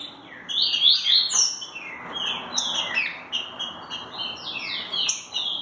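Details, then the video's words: Green-winged saltator, "mansarrão" song style, pouring out fast, high whistled phrases, sharp downslurred notes stacked closely together at about four per second, steady and unbroken over a faint hiss. "MANSARRAO trinca ferro LOUCO"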